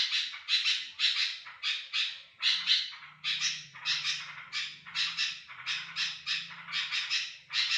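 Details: Sooty-headed bulbul chattering as a lure for other bulbuls: coarse, buzzing bursts in irregular pairs and triplets, over a faint low droning hum.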